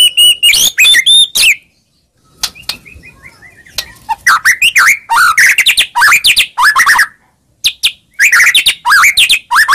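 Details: White-rumped shama (murai batu) song played as a lure to get a reply: dense, varied chirps and whistled phrases in quick succession, a short silent break near two seconds, then lively warbling runs.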